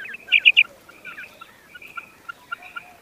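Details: Common quail calling: three short, sharp, high notes in quick succession near the start, then a few faint scattered chirps over a quiet background.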